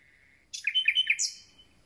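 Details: Short phrase from a common nightingale just back from migration: a thin steady whistle, then three quick ringing notes and a brief high flourish, all within about one second.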